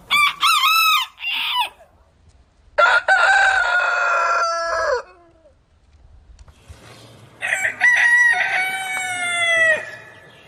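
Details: Rooster crowing three times: a short first crow, then two long, loud, drawn-out crows with a steady, slightly falling tone. Quiet gaps between them.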